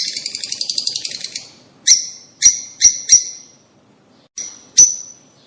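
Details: Rosy starling giving a fast, buzzy rattling chatter at first, followed by isolated sharp, harsh chirps spaced irregularly, with one quiet gap before the final notes.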